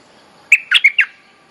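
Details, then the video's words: Bulbul lure song used as a mate-calling tune for teaching young birds: four quick, bright, bubbly notes in under a second, each sliding and chirpy, over a quiet background. "เสียงนกดอกแตงEp.186 เพลงเรียกคู่ หัดลูกเสอ Suara pikat merbah lekir gacor"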